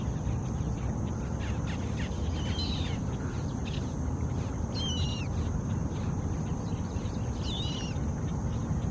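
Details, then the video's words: A swamphen chick in Florida, eating and calling its mother, gives three thin, high, down-slurred peeps spaced two to three seconds apart over a steady low rumble of wind or distant traffic. "Baby Swamp hen eating, calling mom"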